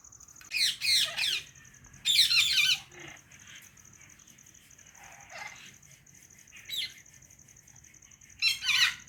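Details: White rose-ringed parakeet, a calm pet bird, chirping: harsh, noisy screeching bursts in uneven clusters separated by quieter gaps, with a faint steady high whine in the background.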